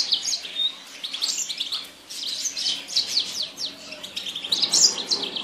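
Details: Yasmin bird in full song, a dense stream of rapid, high chirps and short sweeping notes that pours out almost without pause for over five seconds.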